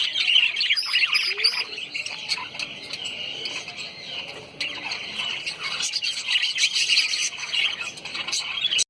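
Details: A flock of lovebirds, social small parrots of genus Agapornis, recorded at Sayaji Baug garden in Vadodara, Gujarat, India: rapid overlapping high-pitched chirps and squeaky notes, about three per second, forming a busy steady chatter.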